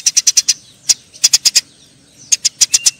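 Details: Quarrelling Eurasian tree sparrows: a quick run of five shrill chirps, a single note, a group of four, then after a pause another burst of five high, sharp chirps.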